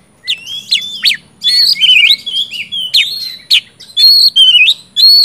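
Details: Oriental magpie-robin in full song to spur silent birds: sharp sweeping chips, warbled buzzy phrases and clear whistled notes in a rapid, unbroken sequence.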